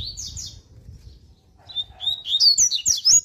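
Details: Double-collared seedeater (coleiro) singing a strong, fast 'tui tui' style warm-up song: a short twittering phrase, a pause, then a thin whistle leading into loud, quick, buzzy chirped notes, with low rumbling background.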